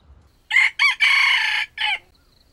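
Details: Trapped wild red junglefowl gives a stuttering, broken crow in four separate bursts: two short harsh notes, a long rasping middle section, then a brief final note dropping in pitch. The surroundings are otherwise quiet.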